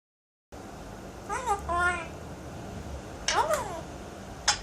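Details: Pet Alexandrine parakeet indoors, talking and doing sound effects: a pair of short, wavering, voice-like phrases, then a quiet pause and another bending, chevron-shaped utterance, ending with a sharp click against a low room hum.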